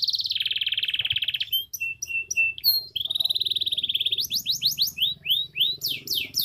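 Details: Caged canary from Comal, Pemalang, Central Java, Indonesia, singing a fast, varied song: a long rolling trill, then clipped high chips, another sustained trill and bursts of rapid upward-sweeping whistled notes, with faint low background hum.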